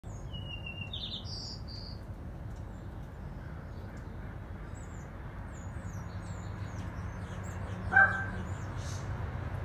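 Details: A bird gives a few short, high chirps and a brief thin trill in the first two seconds over a steady low rumble, with a louder tonal squeak near the end.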